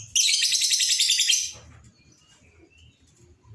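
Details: Lovebird in an excited state giving long chattering: a dense, high, rapidly repeated burst for just over a second, then near silence with faint low background rumble.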